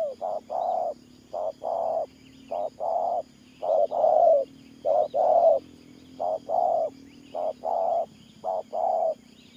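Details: Spotted dove singing in the Thổ Pha Nước Gù style, low soft coos in short paired and single notes separated by brief pauses, roughly one a second, with a faint steady hum below.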